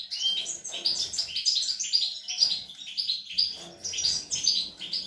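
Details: European goldfinch, young birds, recorded 25 April 2021, singing a fast, continuous twittering of high tinkling and buzzy notes in rapid bursts, with a faint low hum underneath.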